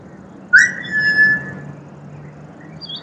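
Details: Pied butcherbird, a songbird of Australia, singing: one clear, pure whistled note that starts sharply, rises slightly and holds steady for about a second. A few faint high notes come near the end over a quiet, low background hum.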